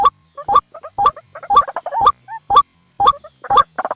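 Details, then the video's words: White-breasted waterhen lure recording for drawing birds to traps: choppy, irregular croaks and short nasal notes, some rising, in uneven bursts about twice a second with small gaps of silence. "suara pikat ruak ruak malam hari paling ampuh"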